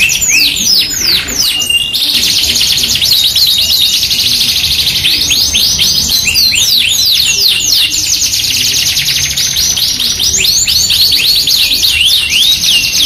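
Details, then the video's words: Yorkshire canary singing energetically, used as a masteran lure recording alongside an AF canary with luxurious cengkok style: dense high trills and rapid falling sweeps, with a break near two seconds before a steady buzzing roll resumes, continuous throughout. "MASTERAN KENARI 2 IN 1 | KENARI GACOR YORKSHIRE FOI21 VS AF CENGKOK MEWAH | PANCINGAN KENARI AMPUH"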